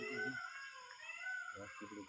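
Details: A peacock at Neora jungle camp, where peafowl are plentiful, gives a drawn-out, nasal wailing call with a rising and falling pitch, heard between people talking close by.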